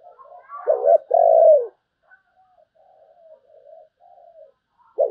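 A spotted dove gives deep, hollow coos: two loud, full notes, then softer, drawn-out hums, and another strong coo at the end.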